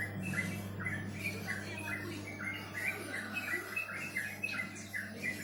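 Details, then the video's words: Bird producing quick, repeated squeaky chirps in loose bursts, some sounding doubled, with a persistent low hum underneath. "Suara burung merdu"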